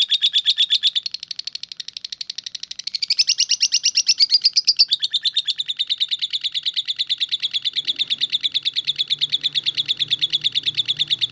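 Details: Lovebird delivering continuous ngekek, called konslet, as an unbroken stream of sharp, high chattering pulses. It dips briefly in loudness near two seconds, swells again, and keeps a steady fast rhythm for over eleven seconds.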